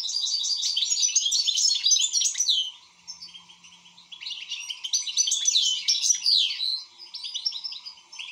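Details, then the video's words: European goldfinch singing energetically. Continuous rolling twitters and bright metallic notes run in two long phrases with a brief lull between them. "حسون شغال"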